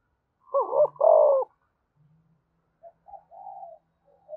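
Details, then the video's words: A spotted dove coos to rouse wild doves: two brief, husky notes then a sustained, downward-sliding coo, followed by quieter, softer cooing fragments. "cu gay kich boi nhanh noi gù"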